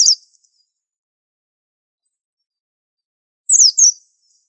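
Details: Indonesian 'super antik' white-eye kept as a singing master: a clipped high note at the start, then a long pause, then a crisp pair of shrill descending chirps.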